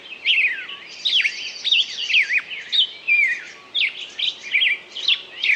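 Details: A songbird pours out quick varied phrases of bright, sharply bending whistles, with short gaps between bursts and a low hiss underneath.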